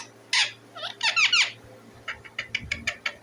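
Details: Loud, raspy chirps and squawks from a pet Indian ringneck parakeet, a tight cluster of harsh wavering notes followed by quicker, thinner repeated chirps.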